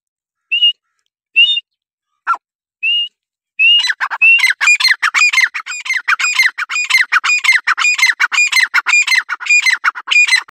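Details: Francolin giving a few separate high, pitched notes, then a prolonged rapid series of loud, rasping squawks that continues without pause to the end.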